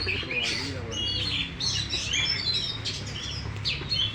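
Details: Caged champion oriental magpie-robin displaying with tail fully opened: bright whistled phrases and clipped chirps tumble in quick succession over a steady low hum and faint voices.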